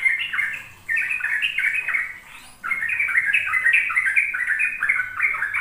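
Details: Rapid rolling song of a sooty-headed bulbul, played to young kept birds so they learn it: two bursts of quick, fluty, chattering notes separated by a short pause, with a faint steady high hiss throughout.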